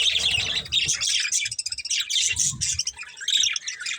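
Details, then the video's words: Two budgies from a breeding pair keep up continuous high, rasping chatter. Squawky chirps tumble over each other, with soft low thumps underneath. "Cute Budgies Chirping Sounds"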